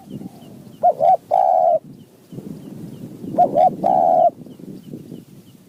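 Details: A wild spotted dove, in mountain forest and answering a decoy, calls twice about two and a half seconds apart. Each phrase is two short hooting notes and then a sustained low coo. Faint high chirps sound behind it.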